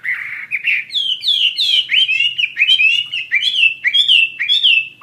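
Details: Chinese Hwamei singing actively: a continuous rich, varied warble of slurred whistled phrases, rising and falling notes running together almost without pause.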